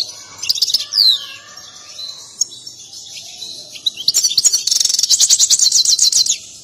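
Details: Excited European goldfinch performing its mating song with a dance. A few chirps and a downward sweeping note lead into a quiet stretch, then a long, loud, rapid rattling trill of tinkling notes.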